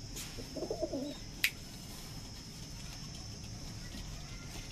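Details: Punjabi pigeon, a domestic breed kept for sale in Najafgarh, Delhi, gives a short soft low coo lasting about half a second, followed by a single sharp click against steady indoor background hum.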